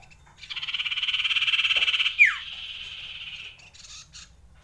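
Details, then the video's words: Common iora giving a long rolling song used to raise breeding urge: a steady buzzy trill of rapid pulses lasting nearly two seconds, then a sharp downslurred whistle and a softer, fading trill. No other clear sounds. "CIPOH SIRTU CIPOW NGEROLL PANJANG COCOK MENAIKAN BIRAHI"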